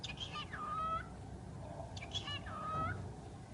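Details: A pet talking bird gives two short speech-like phrases, each a buzzy burst that slides into a level, harmonic-rich tone, separated by about a second of low background hum.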